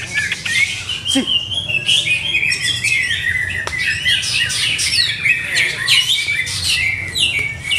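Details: Captive greater green leafbird being trial-conditioned for competition, pouring out a dense, continuous warble of rapid twittering notes and high buzzy flourishes.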